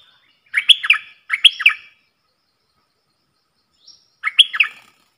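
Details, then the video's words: Caged bulbul in a singing duel with wild birds, recorded 3 October 2564 (Thai calendar). Three short, bright, warbled phrases of rolling whistled notes, each about half a second long. A faint high note sounds between them, and there is no background noise. "เสียงนกกรงดอกแตงEp.82 ดวลเพลงกับนกป่า!!"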